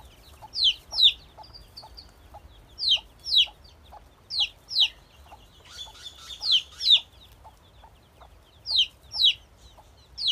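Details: Baby chicken chicks (Gallus gallus domesticus) peeping, high thin notes sliding downward, mostly in quick pairs.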